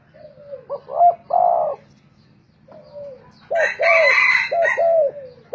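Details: Spotted doves singing against each other as decoy birds: falling coos and louder doubled coo phrases, interrupted by a rough, crowing burst from another bird in the middle.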